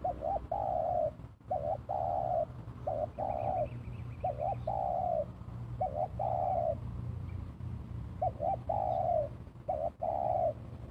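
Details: Spotted dove lure call with a two-note 'kuk dua' pattern: a quick doubled coo followed by a longer sustained coo, phrases repeated steadily every second or two, faint higher bird chirps and low background hum.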